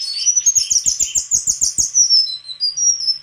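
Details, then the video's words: White-throated flycatcher song: a fast run of high, buzzy twittering notes with sharp clicks, then clear, thin whistles falling and rising at the end. "Sikatan krongkongan putih suara gak kalah sama burung kicau lain"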